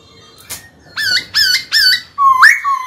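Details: White-cheeked laughingthrush in a cage, singing to draw a rival into combat: three short, bright, stepped whistled notes, then a longer note that rises and holds, over faint background noise.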